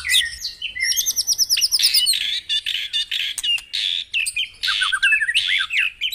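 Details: White-rumped shama singing at dawn, a recording to make caged birds sing: high rapid trilled notes, then dense chattering bursts and a descending series of quick slurred whistles.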